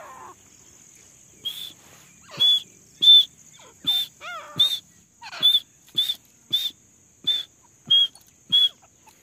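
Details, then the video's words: Female grey francolin calling non-stop in jungle, used as a lure for hunting: a series of about eleven loud, piercing, high whistled notes, roughly every 0.6 seconds. A few softer slurred chirps are mixed in, over a faint steady high hiss. "Desi teetar madi ki awaz || desi female ki awaz"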